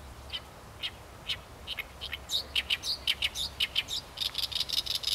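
An Oriental reed warbler sings harsh, scratchy notes, first spaced out, then speeding into a rapid chattering run of repeated phrases over a low background hum.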